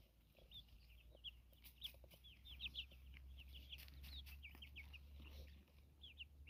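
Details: Chickens foraging outdoors in nature: a busy stream of thin, high, curling chirps, several per second, over a steady low hum.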